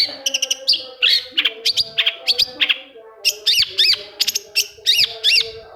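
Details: A long-tailed shrike sings in a lure recording for shrikes that have stopped singing. Quick chips and chattering give way to a series of repeated arched, wavering whistled notes, loud and high.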